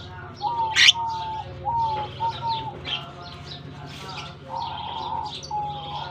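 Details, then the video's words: Lovebirds released into their colony for summer in Germany; a loud piercing squawk early, then repeated flat whistled notes and high chirps from many birds, with a quiet low hum behind. "Japan lovebirds release in colony season off come to summer 🌞 off season bird good chirping sound"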